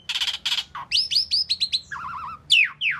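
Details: An Asian pied starling sings and chirps: two harsh buzzy bursts, a quick string of rising chirps, a wobbling low trill, then two loud descending whistles.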